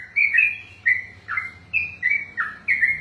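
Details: Caged sooty-headed bulbul (trucukan) in 'ropel' style: clear, loud whistled phrases, each a short high note falling into a lower slur, about six phrases in quick succession with brief gaps.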